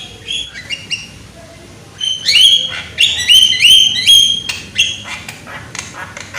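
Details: Young Javan myna calling loudly as a singing lure: quiet clicks, then a series of bright, slurred whistles with hoarse edges in quick succession, tapering into softer chips.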